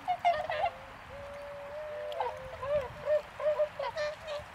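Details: Tundra swans in a snowy winter field at Azumino, Japan, on a cloudy -4°C day, with many birds present; a flock gives overlapping nasal honking calls, mid-pitched and repeated in quick irregular bursts.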